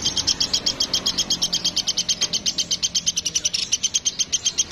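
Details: Rapid, shrill ticking from a woodpecker (platuk) from Sampit, serving as a tutor recording for songbirds: notes come in an unbroken run of about eight a second, slightly uneven in loudness.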